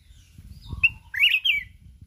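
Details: Red-whiskered bulbul of the mountain form, singing competitively with continuous wing-flapping in 'kít bổi' wild voice. A single brief, slurred, rising and falling warble sits over low background rumble.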